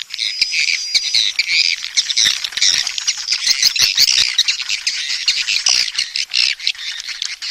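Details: Swiftlet mating call: dense, continuous high twittering of rapid buzzy chirps and clicks, with thin whistled notes at the start, several birds overlapping with no pause.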